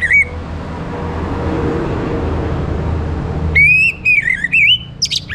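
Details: Morning orange-headed thrush song meant to set other birds singing: a steady low hum with a brief whistle at the start, then a late phrase of rising and falling clear whistles with a sharp high note.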